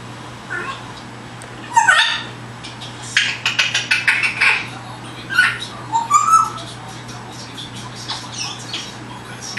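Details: Pet parrot indoors practicing words and sounds, having just started imitating wild birds seen outside: scattered chirps, short whistles and speech-like chattering bursts over a steady low hum.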